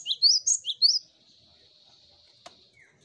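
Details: Cinereous tit song used as a lure to get other birds singing quickly: a short burst of four high, sharp two-part notes lasting about one second, then near silence with a faint click.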